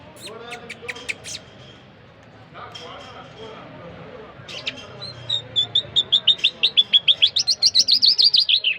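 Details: Jal, a singing bird of the Irani and Mashhadi type: after a few chirps and a brief voice, it gives a fast run of about twenty high, clear repeated notes that rise slightly and then fall at the end.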